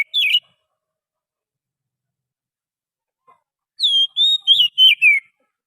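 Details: Wild forest Oriental magpie-robin singing as a lure: a brief whistled note, a pause of several seconds, then a phrase of four loud, sweet, slurred whistles, some falling, over a quiet background.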